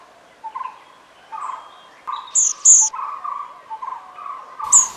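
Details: Olive-backed pipit at Nandi Hills: thin, very high, buzzy 'tseez' notes, two close together and then one more near the end, over a steady lower warbling.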